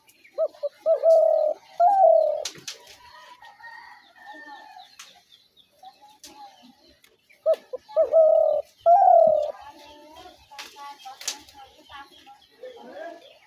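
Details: Trap-lure recording of a spotted dove calling: two similar phrases several seconds apart, each a few short clipped notes leading into longer soft coos, with light tapping noises between.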